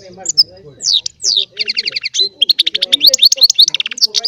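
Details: Small goldfinch (baster) singing its chardonneret song: rapid twittering of high, bright notes, rising slurred whistles and fast buzzy trills in quick succession, with faint low background noise.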